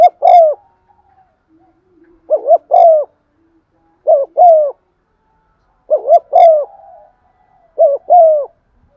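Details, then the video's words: Lure spotted dove's stimulating cooing in the 'giọng son' voice: repeated paired phrases of a short tremulous coo and a fuller, falling coo, five phrases spaced roughly two seconds apart in a quiet setting. "Tiếng chim cu gáy mồi thúc gù bài bản giọng son"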